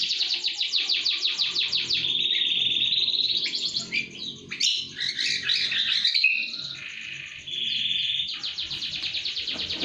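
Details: Canary song used as a lure to get other birds singing: rapid, evenly repeated high trill notes, then a sustained buzzy tone and a jumble of varied chirps, ending with fast trilling again.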